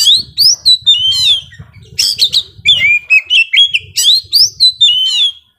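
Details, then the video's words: Intense song from a young forest Oriental magpie-robin: fast varied whistles, sweeping slurs and buzzy high notes in close sequence, over a faint low rumble. "KACER MUDA HUTAN GACOR KONSLET"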